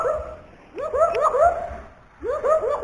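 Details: Pet myna told to cough but bursting into loud laughter instead; repeated rising, hooting laugh-like calls in quick clusters, two bouts with a short pause between, and a person's voice faintly nearby.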